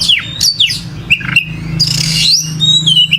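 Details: Energetic whistling from an oriental magpie-robin: quick descending slurs, a short chattery patch, then a harsh buzzy sweep leading into sustained bright whistles, steady low hum in the background.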